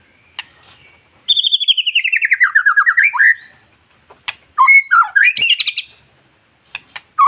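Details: Captive white-rumped shama song meant to provoke other shamas: a fast descending trill of about twenty rapid notes, then a burst of varied whistled and scratchy notes, with sharp clicks between.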